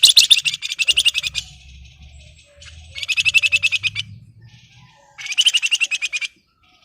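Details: Excited Flamboyan bird in breeding condition, calling out to a rival with three bursts of fast, dense, rattling high notes. Each burst lasts about a second and is separated by quieter pauses with a low hum underneath.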